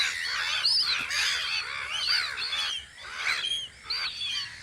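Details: Gulls on guard on Audru polder in spring give arching, wailing calls and squawks, layered thickly with brief quieter gaps.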